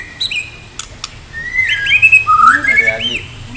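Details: A contest-ready white-rumped shama (Copsychus malabaricus) of Medan stock, singing in full voice with loud, rich whistled phrases that slur up and down, with a few sharp clicks before the song, over a faint low hum.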